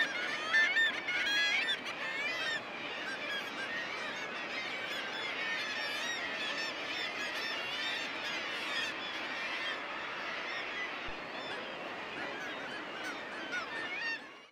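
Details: Common murres (guillemots) in breeding plumage on their breeding grounds on the Isle of May, marking territory, bonding and fighting neighbours: a dense, unbroken din of harsh, growling, honking calls from many birds, with loud kittiwakes behind.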